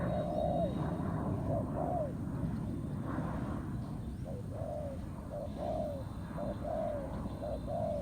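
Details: Spotted dove in the wild answering a ground-decoy trap in a contest with the decoy. Soft, hollow two-part coos repeat every second or so, partly buried under a steady low rumble.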